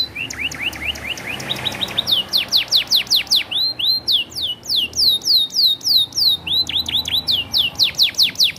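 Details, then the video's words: Canary singing in the isian style for competition: soft rapid twittering notes build into long trains of loud, sharply descending whistles, repeated about twice a second with dense high overtones. "BURUNG KENARI AF PRESTASI GAYA ISIAN DURASI JOSS"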